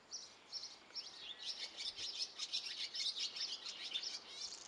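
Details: Baby Great tits, nine of them inside a garden nest box at Belford in Northumberland, keep up a continuous shrill twittering of rapid, overlapping high chirps that swells slightly toward the end.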